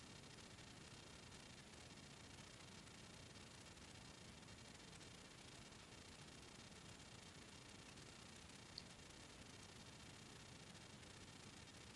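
Only a faint, steady hiss of broadband noise is heard, with no animal calls.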